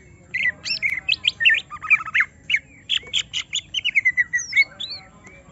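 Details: Greater green leafbird, a kept bird provoked into emotional full song, delivering a lively stream of sharp chirps, slurred whistles and short trilled notes without pause.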